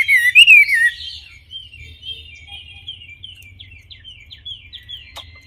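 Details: Wambi song: one loud, wavering whistled phrase in the first second, then a long run of soft, thin twittering notes that fall in short steps. A faint low hum sits underneath.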